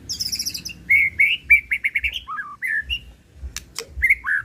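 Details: White-rumped shama lure song, emotional in style, meant to draw out a bird's full repertoire: bright repeated whistled notes in a quick rhythm, a few lower slurred phrases and sharp clicks between them.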